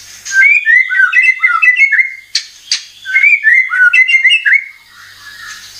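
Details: White-rumped shama (murai batu) lure recording meant to trigger singing and full repertoire: two bursts of rapid, varied mid-pitched whistles and slurs punctuated by sharp clicks, ending in a quiet pause.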